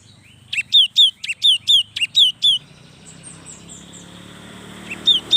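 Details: Lively song of a young cinereous tit, meant to prompt idle tits to sing: seven rapid, clear, high descending notes in a burst lasting about two seconds, then near silence before two more notes at the end.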